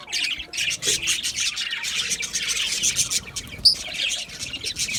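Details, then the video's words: Budgie parrots chattering in a steady stream of bright, rapid chirps and rasping notes, with one sharp, clear whistle near the end. "Budgie Parrots Chirping sounds"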